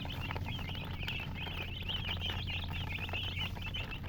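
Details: Chicks chirping in a thick chorus of high, slurred peeps, tumbling one after another with no gaps, set against a constant low droning noise.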